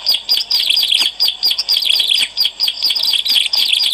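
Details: Bar-winged prinia in energetic song, recorded for luring. Quick, high, squeaky chirps tumble in dense phrases separated by brief gaps every half second or so.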